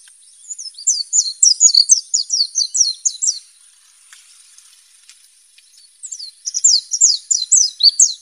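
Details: Wild white-eye singing a rapid, high twittering series of short slurred whistles, two bursts separated by a quiet pause, with a steady high electronic whine throughout.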